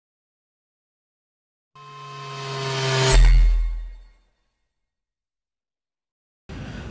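A low, steady humming tone swells into a whooshing sound effect and stops, followed by silence and a burst of noise, with no animal voice.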